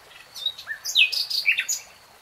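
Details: Common nightingale phrase of varied notes: a low slurred whistle, then sharp, buzzy, downward-sweeping notes and a bright rising chirp, all packed into a couple of seconds.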